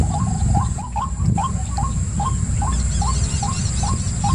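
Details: Steady repeated rising calls of a white-breasted waterhen, roughly every half second, with a few sharp clicks early and high twittering from another bird in the second half.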